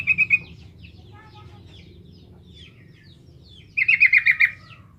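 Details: Sooty-headed bulbul singing vigorously, used as a lure to make novice bulbuls answer and sing: a short burst of bubbly, rapid repeated notes at the start, then quiet, then a longer bubbly run of about six notes near the end.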